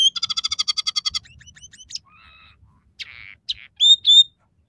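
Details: Scaly-breasted munia in persistent song, its phrases said to include imitations of sparrow, red siskin and canary. A rapid, regular buzzy trill fades into soft twitters, then a harsh rasp and two long, bright, high whistles.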